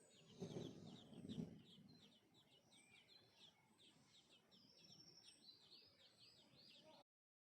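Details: Sparrows, including a small baby crying to be fed, give a dense stream of thin, high chirps, about one or two a second, with a couple of dull low thumps near the start.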